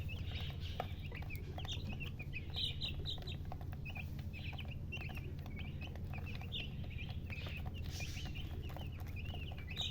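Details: Baby chickens calling constantly, a dense run of high peeps and short downslurred cheeps, roughly three or four a second, above a continuous low rumble.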